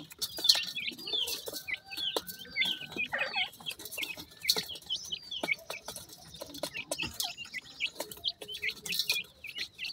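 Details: Baby Mikado pheasants eating feed with their mother in the sunshine, giving a steady chorus of shrill, falling cheeps from several chicks, mixed with scattered tapping and scratching noises.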